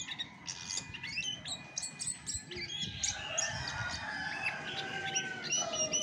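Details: Chestnut-backed thrush singing a busy run of sharp chirps and twittering notes, its pure voice without mixed-in tutor birds, with a few longer falling whistles toward the end over a low background hum.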